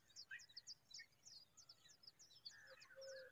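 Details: Familiar chat, the mother bird fixing her nest: thin, high downslurred chirps repeated roughly three times a second, with other birds' whistled notes mixed in and a steady low whistle near the end.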